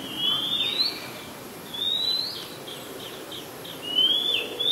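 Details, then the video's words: Oriental magpie-robin singing in Ubon Ratchathani, Thailand, 2 July 2022. A few slurred whistled phrases are broken by a quick series of short chirps, with a final rising whistle and a quiet background. "นกกางเขนบ้าน Oriental Magpie Robin (singing)"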